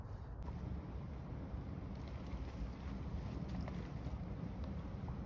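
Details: Steady rumbling wind buffeting the microphone outdoors, with no owl or other animal calls heard.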